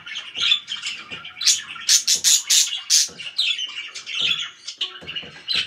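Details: Loud pet budgerigars: a warbling, twittering chatter of scratchy, squeaky notes, broken up by a few loud, sharp chirps near the middle.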